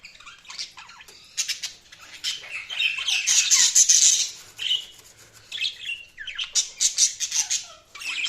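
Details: Budgerigars give fast, buzzy chirping and warbling, a loud dense burst in the middle, then rapid pulsed chirps toward the end.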